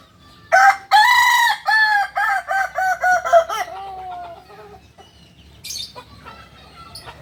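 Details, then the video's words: Kokok Balenggek rooster, a singing village chicken native to Solok, West Sumatra, delivering a multi-tiered crow: a loud opening note followed by about nine stepped syllables falling gradually in pitch over four seconds, then faint calls of other birds. "Ayam kukuak balenggek ayam asli solok sumbar"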